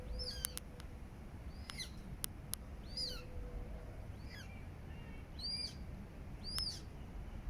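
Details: A coot family with chicks in London's Regent's Park, July 2024; a run of high, arching peeps, some overlapping, roughly every second, plus a faint lower whine, clicks and steady low rumble.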